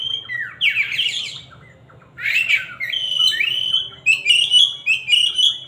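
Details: Loud Oriental magpie-robin song, with a rising buzzy phrase, a harsh rasping note, then a long run of clear level and sliding whistles repeated rapidly.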